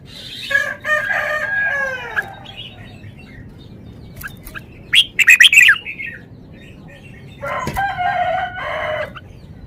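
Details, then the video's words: Red-whiskered bulbul displaying its song repertoire: scattered short whistled phrases and a quick burst of sharp chirps mid-way, with bursts of harsher, rougher sound at the start and near the end, over a low background hum. "นกกรงหัวจุก 599 จ้าวมาดี"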